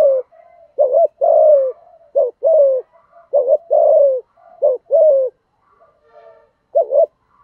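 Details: Lure spotted dove of the thổ thúc gù voice style, used to provoke wild doves: repeated hollow cooing phrases, a clipped note followed by a longer falling coo, several phrases in quick succession, faint soft sounds between.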